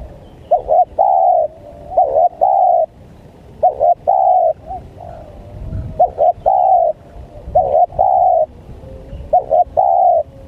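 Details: Spotted dove cooing, played to lure and draw in wild doves: low, mellow coos in repeated groups of a short double note followed by a longer drawn-out coo, several phrases in steady succession.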